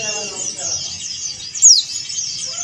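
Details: A male yellow-breasted Oriental white-eye of the Bali type, calling a rival, keeps up a thin, high twittering, broken by one sharp, bright whistle that slides downward.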